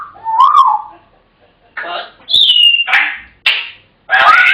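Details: African grey parrot producing a rising-falling whistle, then a high clear whistle and several short noisy chattering bursts.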